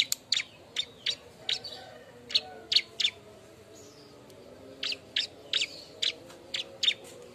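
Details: Bar-winged prinia calling noisily while looking for a mate, used as a lure sound: sharp high chips in quick bursts, a short pause near the middle, then another run of clipped notes.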